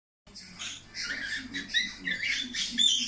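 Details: Pet budgerigar singing: a dense, chattering warble of scratchy clicks, short whistled notes and squeaks, rising and falling in loudness after a brief silence at the start, over a low steady hum.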